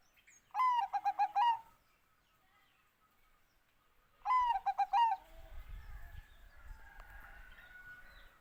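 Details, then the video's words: Bangkok-type zebra dove giving two rhythmic cooing phrases, each a gliding first note then five quick pulsed notes and a final slurred coo, followed by low rumbling background noise. "OCEHAN BURUNG PERKUTUT BANGKOK"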